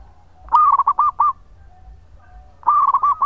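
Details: Actively singing local zebra dove, recorded for luring: two clear phrases, each a fast bubbling roll into four or five separate looping coos, over a quiet background.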